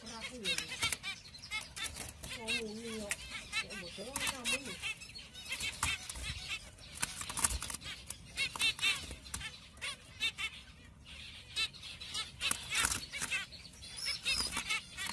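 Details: Pastel zebra finch. A person talks briefly at the start, then comes a busy stream of short, nasal, clipped calls in irregular runs, some quick and stuttering.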